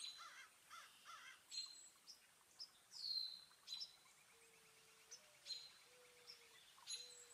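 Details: Garden birds at a feeder in New Jersey, northeastern USA, on a partly cloudy April 5, 2024, the day of a 4.8 magnitude earthquake: high, sharp chirps and short whistled notes come in scattered bursts. A steady low tonal hum runs underneath.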